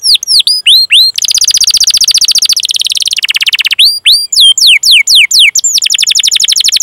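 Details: Canary song used as training material to teach young or silent canaries to sing, an Indonesian long-duration chirping and rolling style: rapid high whistled sweeps and buzzy trills, shifting between fast repeated notes and rolled passages.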